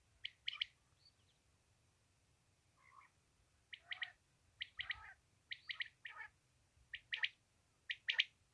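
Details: Common quail in Pakistan, played as a hunting call: sharp, liquid notes in quick groups of two or three, repeated about once a second, with a faint low hum beneath.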